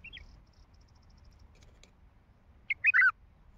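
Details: Wild Baghdadi bulbul with a heavy throat delivers one brief, loud, fluty warbled phrase of a few quick notes after a soft opening chirp and quiet pause.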